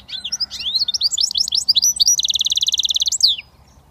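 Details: British goldfinch mule hybrid delivering a bright twittering phrase of quick slurred whistles, then a long even rattling trill of repeated notes and a final descending whistle.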